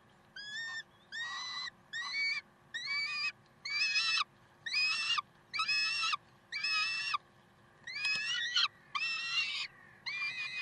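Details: Peregrine falcons calling at Karlsruhe, 30 May 2010, 7:27: a steady series of about ten short, harsh, nasal notes, roughly one per second, each slurring downward, over a faint steady background hum.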